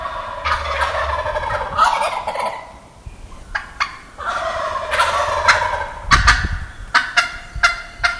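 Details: In the Wisconsin woods on a morning outing, a wild turkey gobbles loudly: several rolling, gurgling gobbles in succession, interspersed with sharp clicks and snaps.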